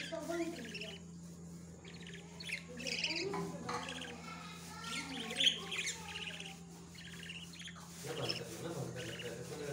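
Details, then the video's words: Budgerigar adults feeding their babies in a breeding setup; dense chirping and harsh squawky chatter in irregular bursts, several birds calling over one another, steady low hum underneath. "budgies feeding their babies"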